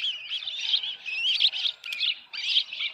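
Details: Osprey at the Dunrovin Ranch nest on 10 June 2018, evening around 6:41 PM, with a headless fish: shrill, slurred chirps in uneven bursts, some run together, with short pauses between groups.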